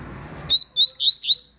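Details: Clear tui song of a double-collared seedeater, recorded 2020: four loud, pure, rising whistled notes evenly spaced about a quarter second apart, each sweeping slightly upward, against near silence.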